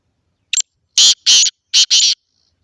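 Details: Black francolin (kala teetar) recorded in Khushab, Pakistan: a short sharp click followed by two pairs of loud, harsh, grating notes, the whole phrase lasting under two seconds against a quiet background.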